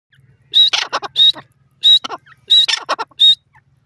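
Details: Grey francolin calling: loud, harsh phrases, each opening with a short high whistled note and followed by rapid grating clucks. About four phrases are repeated quickly over roughly four seconds, with a faint low hum behind.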